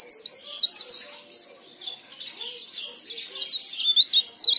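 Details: Leaf warbler song meant as a lure to prompt other leaf warblers into singing: fast, high twittering warbles, a brief pause mid-way, then the chattering sweeps resume.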